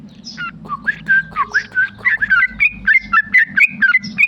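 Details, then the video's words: Tame male sooty-headed bulbul delivering fast 'ropel' song, beginning with scattered swooping whistles and quickening into a tight chain of short, bright, rising-falling notes about four per second, over a low background hum. "Trucuk jinak ropel"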